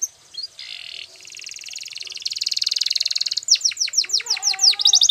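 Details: Belgian canary training song beginning with buzzy high trills that swell into a loud rolling trill, then rapid falling sweeps and quick chirps.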